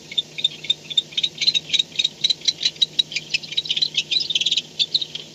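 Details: Barn owl back at the nest before dawn, 4:38 am on 2-10-16; fast bursts of sharp, high clicking and twittering notes, several per second, with slightly squeaky clusters near the end over a low hum.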